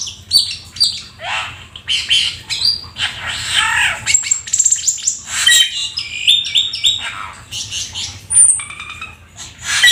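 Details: Black-winged starling, a rare exotic bird, singing vigorously in full 'isian' style: rapid mix of high clear whistles, harsh buzzy bursts and squawky notes in quick succession, with a faint low hum underneath.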